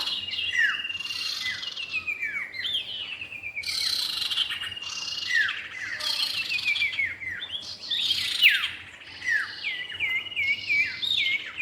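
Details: Common iora, male and female, in a lure recording: dense, overlapping high chirps and short downslurred whistles, some hooked notes, in bursts with abrupt starts, over faint low background noise.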